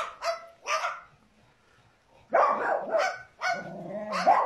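A cockatoo imitates a dog, giving harsh, raspy barks in short bursts.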